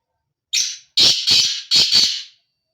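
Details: Male black francolin calling in the breeding season: a thin scratchy lead note, a short pause, then two strident, harsh double notes, each pair sounding like a grating ratchet.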